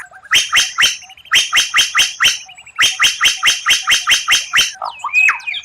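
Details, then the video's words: Murai batu (white-rumped shama) rare tutor phrases, said to impress contest rivals: harsh, buzzy notes repeated in three rapid bursts of about five, separated by brief rattles, ending in twisting whistles. "Masteran murai batu tembakan langka, suara aneh tapi memukau lawan"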